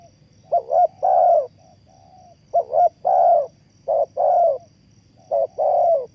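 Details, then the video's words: Lure call of a spotted dove for trapping: three clear phrases of deep, mellow cooing, each a clipped two-part note then a longer rolling coo, spaced about every one and a half seconds over a faint high hum. "The Sound Of Spotted Dove is good"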